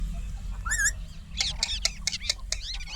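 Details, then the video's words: Indian ringneck parakeet giving a single rising, harmonic squawk, then a quick run of sharp, scratchy chattering notes in close succession, over a steady low hum. "Indian ringneck parrot natural sound 🥰 Tote ki awaz"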